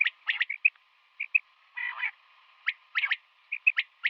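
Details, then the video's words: Female common quail calling in the morning: short clipped chirps in quick clusters of two to four, with one harsher rasping burst midway, over a faint steady low hum. "Female Quail sounds | Common quail Calling in Morning"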